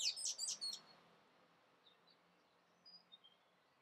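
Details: Song thrush song: a short, bright, high phrase repeated three times in quick succession, followed by near silence with a few faint, thin high notes in the background.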